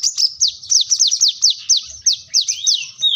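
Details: Plain-throated sunbird, locally called kolibri kelapa, wiceh or manggar, an active singer seeking a rival: rapid series of high, sharp descending slurred notes, about fifteen in three seconds, ending in a rising whistle.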